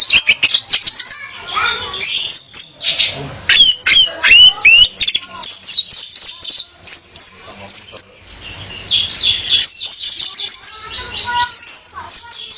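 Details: Song of a female orange-headed thrush, meant to draw a male into singing: a dense, fast stream of sharp clicks, high whistles and twisting trills, with short pauses between rapid bursts.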